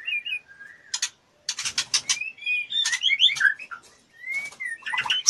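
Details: A fluttering female white-rumped shama in breeding condition, asking to mate, mixes sharp clicks and ticking bursts with rich twisting whistles and slurred notes.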